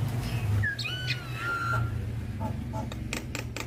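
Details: Javan myna (jalak kebo) singing for use as a master for other mynas: clear drawn-out whistles with a falling slur, followed by a few short harsh notes, against a steady low hum.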